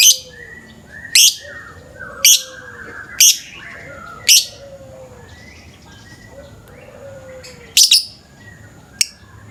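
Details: Lovebird calling in the morning, a lure recording: sharp, high chirps spaced about a second apart, mixed with fainter drawn-out rising whistles and softer low notes between them.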